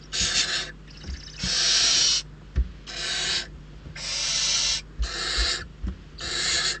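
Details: Barn owl chicks, famished after lean days, fight over prey brought by an adult at their nest in the Ebro Delta's Riet Vell reserve; rasping hissed screeches about a second long, repeated irregularly, with faint knocks between.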